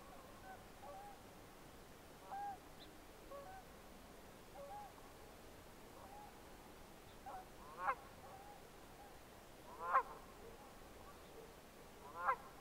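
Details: Red-breasted merganser producing soft, nasal honking notes that give way to three loud, harsh rasping calls spaced about two seconds apart near the end, over a low background hiss.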